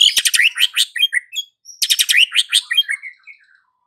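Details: White-rumped shama afternoon lure song for prompting a quiet bird to sing: two bursts of rapid, harsh chattering notes, each trailing into a few thin whistles.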